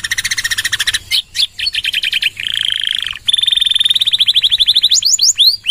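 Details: Canary's 'nembak panjang' singing, with church-like fill phrases, for prompting other birds: rapid trills, a held buzzy note, then a long fine trill ending in sharply rising whistles.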